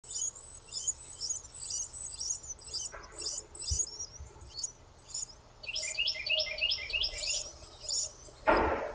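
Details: Female Carolina wren feeding her babies: thin, very high chirps in rapid runs, then a quick rising series of sharper notes; a soft thump and a brief rustle.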